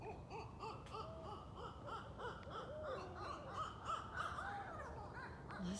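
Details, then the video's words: At least 3–8 barred owls fly about and caterwaul at night in woods, a raucous, loud, continuous chorus of overlapping hoots, cackles and wavering wails, with a person's voice faintly in the background. "Amazing Barred Owl Sounds & Calls"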